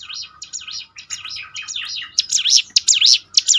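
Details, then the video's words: Prinia song used as a lure to train birds to sing more often: fast series of high whistled notes sweeping up and down in a zigzag, growing louder and sharper toward the end, with a faint low hum beneath. "ciblek gunung mana yang gak tergoda ikut berbunyi"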